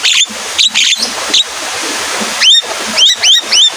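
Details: Javan myna singing in the rainy season, set off by rain sounds: a few harsh chattering bursts, a short pause, then four rising whistled notes in quick succession.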